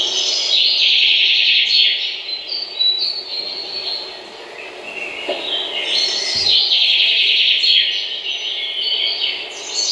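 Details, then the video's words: Birds chirping in a dense, continuous chorus of high twittering and thin whistled notes that swell and fade over ten seconds, with several callers overlapping. "Birds Chirping Sound"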